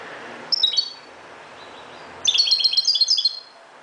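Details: Moroccan goldfinch singing at dawn: a brief bright twittering burst, then after a pause a longer run of rapid high, tinkling, jingling notes lasting about a second.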